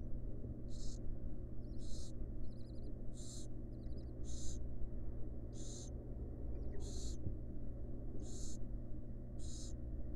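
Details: Mother barn owl resting next to her chicks in a wild nest box; rasping hisses roughly every second, with faint short twittering notes between them and a constant low background hum.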